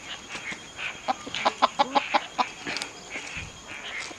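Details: Wild red junglefowl heard on a 2019 hunt, uttering a quick burst of about seven clipped clucks in the middle of the clip, framed by rustling and scattered background noise.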